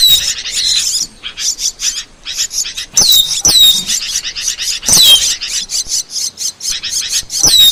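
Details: Asian glossy starling singing for a bird-tutoring and luring track: busy, high chatter of clicks and squeaky notes, punctuated by loud whistles that slide steeply downward, with brief pauses between bursts.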